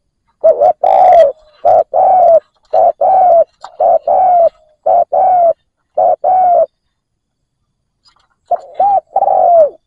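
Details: A captive decoy spotted dove, used to lure in wild doves, gives loud, deep hooting coos in quick two-part phrases, about a dozen notes, then a brief pause before another phrase.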